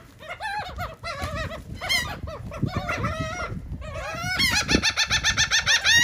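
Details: Seagulls eating cake in Atlantic City, New Jersey, giving loud harsh mewing and yelping calls, several birds overlapping, ending in a fast run of rhythmic repeated laughing notes.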